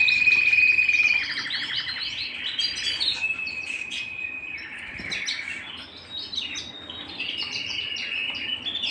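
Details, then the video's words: A canary sings indoors at home, opening with a loud, fast, bright trill, then a run of varied chirps, warbles and shorter rolls that carry on without pause. "canary bird - canary singing - canary sounds - canary singing at home"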